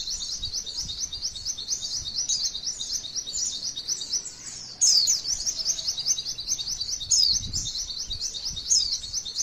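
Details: Female white-eye singing long rolling trills for masteran training: continuous high-pitched chatter, a brief quieter gap before five seconds, then louder bursts with sharp whistled accents.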